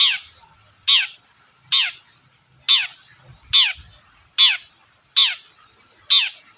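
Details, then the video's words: Long-tailed shrike (cendet) sound used to provoke shrikes to sing: loud, harsh downward-slurred notes repeated about once per second in a steady series. "BURUNG CENDET GACOR DORR PANCINGAN AMPUH CENDET SUSAH BUNYI"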